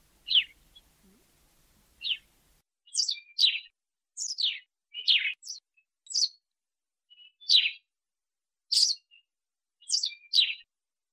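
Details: Sparrow in Africa chirping in a loose series of quick, high, down-slurred notes, some doubled or clustered, becoming more frequent partway through, against a clean quiet background.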